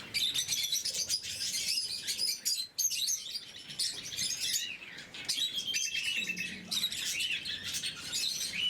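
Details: Blue-mutation lovebirds kept as pets chatter at morning feeding: many sharp, high squeaky chirps pile up in busy bursts, with a brief lull near the middle.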